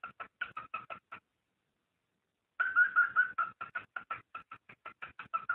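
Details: Cockatiel mating call to stimulate breeding: a short run of quick whistled pips, a silent gap, then a louder, longer series of rapid repeated whistles.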